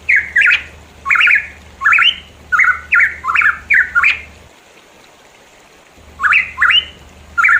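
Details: Pitohui in the mountains of East Java gives harsh, squawky rising notes, often in quick pairs, in bursts about twice a second, then pauses briefly and resumes over a faint low hum.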